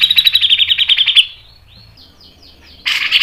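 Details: Grey-cheeked bulbul, known locally as cucak jenggot, giving a fast ngepik and nembak phrase: about ten sharp notes in quick succession, then faint slurred whistles and a final harsh burst.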